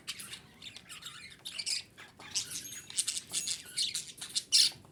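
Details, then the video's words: Female budgerigar calling, sound used to stimulate breeding condition in budgies; a steady run of scratchy, buzzy chirps and squawky warbles, high-pitched and fast, in uneven bursts throughout. "DİŞİ Muhabbet Kuşu Sesi - Muhabbet Kuşu Kızıştırma"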